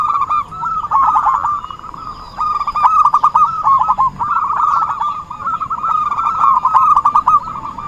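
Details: Perkutut, or zebra dove, calling as a trapping lure: a short trilled coo, a quiet pause of about a second, then long, dense stuttering coo phrases lasting to the end, with faint higher chirps.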